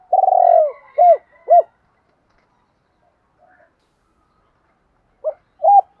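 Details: Spotted dove cooing, from a set of driving and calling coos for training and luring other doves: one rolling drawn-out note and two short arched coos, a long silence, then two clipped coos at the end.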